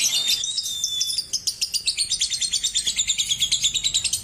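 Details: Lovebird in a recording meant to stimulate other lovebirds to sing and chatter: a thin steady whistle, then a fast run of sharp, evenly spaced high chirps, about five per second, in a long chattering trill.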